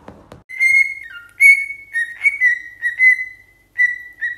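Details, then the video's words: Pet parrot whistling a tune: a series of clear, steady whistled notes, held then slightly falling, in short phrases with brief pauses, after a faint click at the start. "PERROQUET QUI PARLE | CHANTE"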